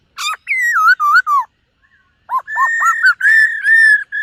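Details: Black-throated laughingthrush practising its morning song with display: a sharp opening note, wavering falling whistles, a short pause, then rapid looping notes flowing into long, steady, strong whistles.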